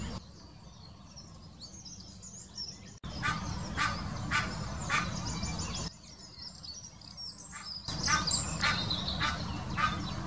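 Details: Egyptian goose giving its mating call in the Wittlicher Senke, 2018: a run of harsh, broad honking notes, about two per second, starting after a quiet opening, over steady low rumbling background noise.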